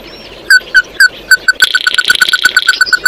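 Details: Oriental white-eye calling the flock with evenly spaced sharp chips, slow at first and then quickening into a steady rapid series over a buzzy, rattling trill.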